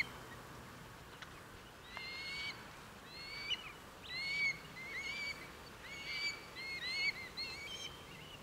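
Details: More than 100 Red Kites in East Northants, 23 November 2015; a steady run of loud whistled, quavering calls from several birds, rising and falling, coming roughly once a second and overlapping.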